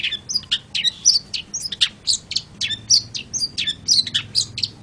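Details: Long-tailed shrike pouring out a dense, varied warble of squeaky whistles, chips and scratchy notes with hardly a pause.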